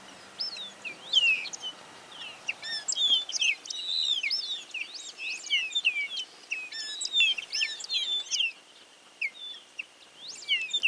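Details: Grayish baywings (Agelaioides badius), called músico for their song, chatter in a lively group chorus of varied, liquid, whistled and chirping notes in Córdoba, Argentina, 2022, with faint background noise.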